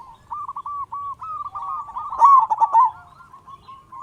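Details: Local zebra dove with a big voice, its song used as a lure to prompt silent doves to sing: a steady chain of quick, wavering mid-pitched coos rising to a louder, rippling phrase midway before tapering off.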